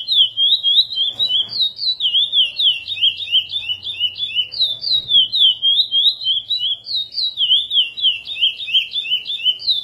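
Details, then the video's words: Chestnut-bellied seed finch (curió) singing in the 'praia' song style, edited for tutoring young birds: a steady run of clear, loud, rapid whistled phrases, each note swooping up and down, several notes per second with brief pauses between phrases; faint low hum beneath. "Curió Mineirinho Edição para encarte praia"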